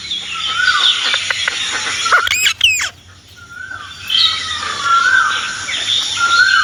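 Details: Pet Indian ringneck parrot calling: drawn-out, shrill whistled notes with sliding pitch, a short burst of harsh squawks in the middle, then more long sliding whistles.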